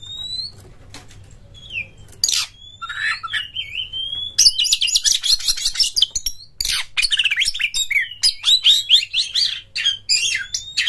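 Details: Oriental magpie-robin, known locally as kacer, in a high-emotion lure song to set other birds singing: clear sliding whistles open it, followed by bursts of harsh, rattling chatter and rapid high notes, over a constant low hum.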